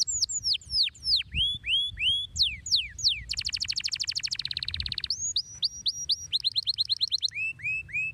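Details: Long, shrill canary song that opens with high, falling whistled sweeps. A dense, buzzy rattling trill follows, held for about two seconds, then a run of rapid rising notes and short upslurred whistles.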